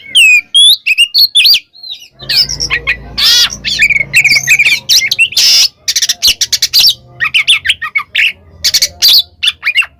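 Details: Oriental magpie-robin (kacer) in the 'kembar ngeplong' style, calling a rival: loud varied whistles and harsh chattering notes in quick bursts, with a low humming noise underneath for a couple of seconds.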